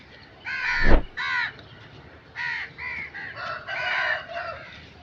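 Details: Crow giving harsh, nasal caws in two short bursts, then a run of several more caws after a pause, with one loud low thump near the start.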